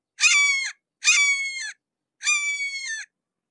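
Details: Three strident, nasal calls from a close Red-shouldered hawk, each about half a second, the third slightly longer, sliding faintly downward, separated by short pauses of one to two seconds, nothing else audible.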